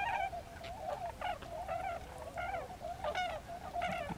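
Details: A flock of tundra swans at Lake Mattamuskeet on 13 January 2013 keeps up a steady chorus of mellow, slightly nasal hooting whoops, many birds overlapping, with a clearer note about every second.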